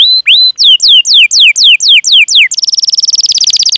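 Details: Canary giving a long rolling song to draw other canaries into singing: a few rising whistles, a run of down-slurred whistled notes about four per second, then a fast buzzy roll.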